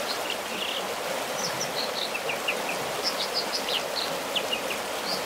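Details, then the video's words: An American dipper, about 10 miles northwest of Bishop, California, sings from its rock a string of brief, high, sweet chirps and whistles, partly masked by the steady roar of rushing water. "The American Dipper Serenade"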